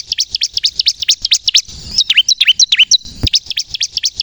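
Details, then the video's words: Bar-winged prinia, kristal type, in full song used to lure and trigger other birds to sing; fast high chirps, then a run of downslurred whistled notes, then quick chirps again, with a single click. "suara burung ciblek kristal gacor untuk pikat dan pancingan ciblek bahan agar bunyi emosi"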